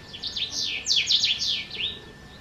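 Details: House bunting, subspecies sahari, at a riad in Marrakech, Morocco, on 22 June 2024: one quick phrase of about ten bright, chirpy notes, each sliding sharply downward, run together into a lively jangling burst.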